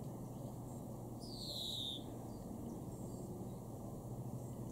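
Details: European greenfinch, East Frisian garden bird at Weener, Germany, May 2021: a sliding nasal wheeze dropping in pitch over about a second, followed by near silence apart from low steady noise.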